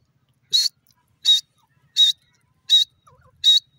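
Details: Francolin (teetar) giving a series of five short, loud, sharp notes, evenly spaced about every seven tenths of a second, with silence between them.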